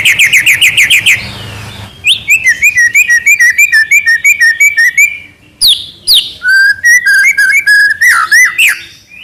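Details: Trotol-style singing by an active White-rumped shama: quick rattling trills, then evenly repeated chirping notes about three per second, later dropping to lower looping whistles.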